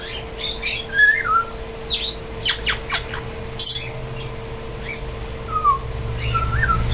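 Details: A tame grey parrot, trying to talk and sing, mutters in harsh, clicky squawks broken by short whistled notes that slide downward, over a steady indoor electrical hum.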